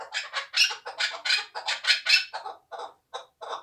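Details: A hand-raised hunting chukar partridge, two years old, from Tojikobod district, Tajikistan, giving loud scratchy chuck notes that become thinner and more spaced out toward the end.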